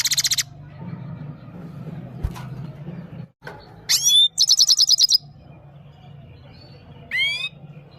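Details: Himalayan goldfinch singing, presented as song for a female, from Parachinar: bursts of high thin twittering and rapid repeated notes, with several sharply rising upswept whistles between pauses, over a low steady hum.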